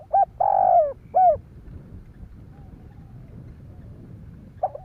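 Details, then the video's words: Spotted dove cooing to stimulate other doves: one full phrase of short note, long coo and falling end note, then quiet hum before another phrase begins at the close. "Tiếng chim cu gáy kích bổi"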